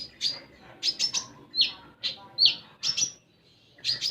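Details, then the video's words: Common iora, recorded to make untrained caged birds sing: spaced high chirps and a few looping whistled notes at an irregular pace, with a quiet pause near the end. "Konin Bahan Dijamin Langsung Bunyi"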